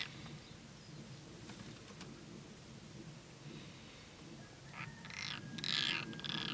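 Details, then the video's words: European roller during courtship gives a few harsh, rasping, crow-like calls near the end, over a steady low rumble of wind. "Szalakóta udvarlás"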